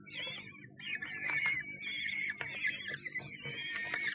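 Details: Common kestrels in a Sussex nest box on 1 June 2011, picked up by the box camera: repeated wavering whining calls with a few scratchy knocks, over a steady low hum.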